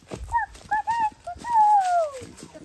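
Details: A rooster crows in the distance near Clear Creek Nature Trail, Milton, Florida: a few short, hoarse syllables, then one long drawn-out note sliding downward, over a faint outdoor background.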